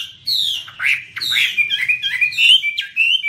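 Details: Chinese hwamei (Garrulax canorus) of eastern Asia singing while waving its wings: loud, varied whistled phrases sweeping between low and high pitch, with a faint low hum underneath.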